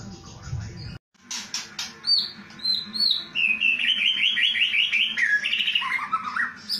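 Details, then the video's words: Kretekan-style song of a white-rumped shama, the type sought by judges: a short gap, crisp ticking notes, high slurred whistles, then a rapid rattling trill that steps downward into lower warbled notes, with a steady hum behind. "KRETEKAN murai paling di cari JURI langsung nyaut murai macet LANGSUNG EMOSI"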